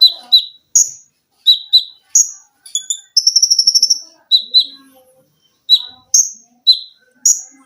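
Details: Olive-backed sunbird (konin), an energetic caged singer for masteran training in mesin jahit and tembakan rapat styles: high paired chips, then a one-second machine-like rapid trill, then more spaced piercing notes.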